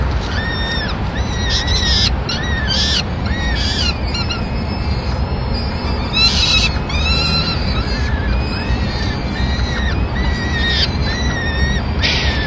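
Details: Peregrine falcon family in Madrid, 26 April 2016. The male arrives with the day's first meal, a small bird, to feed the chicks. Drawn-out, downward-bending harmonic calls recur throughout, with brief sharp notes, over heavy low background rumble.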